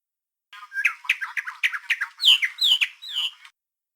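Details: A Socorro mockingbird sings a quick three-second run of varied chirps and slurred notes, ending in three oddly buzzy phrases caused by aliasing, recorded as a digital camera's video audio track rather than on a dedicated audio recorder.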